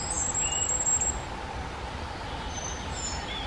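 A firecrest gives a quick run of very high, thin, needle-like notes lasting about a second, with a fainter high phrase later over steady background rumble.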